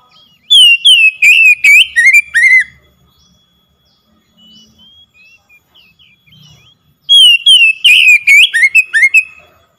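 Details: Oriental magpie-robin lure song for a bird that has stopped singing: two bursts of loud, rapid, slurred whistles separated by a long near-silent gap with faint soft chirps.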